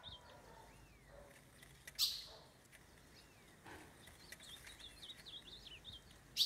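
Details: Wild Ultramarine grosbeak loose in the forest, courting and mounting a female, then coming at a cage to fight; it gives thin, high chirps and short slurred notes, scattered then quickening toward the end, with a few rustling bumps between.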